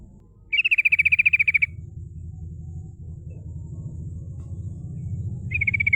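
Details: Female yellow-vented bulbul in constant rolling song, used to lure rivals. A long, fast trill of bright notes holds nearly level in pitch, then another trill begins after a pause filled with low rumbling noise.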